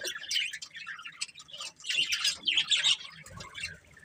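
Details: A budgerigar family kept as pets, chirping in fast rolling warbles and squeaky tweets, continuous chatter rising to a louder stretch toward the end.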